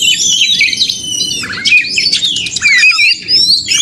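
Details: White-rumped shama giving a busy contest-style song to spur a caged bird, with crowded high whistles, quick slurred chirps and sweeping notes over a steady low background rumble.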